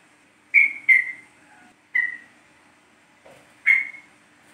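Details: Yellow-vented bulbul (trucuk kebo) from East Java, a lure recording meant to make the bird sing: four clear whistled notes, each sliding down slightly, in two quick pairs spaced about a second or more apart. The background is quiet.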